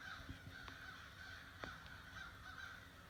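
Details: Distant crows from a morning flock of at least 60 at a bird feeder, giving repeated hoarse caws that overlap loosely, with a few sharp knocks and clicks close by.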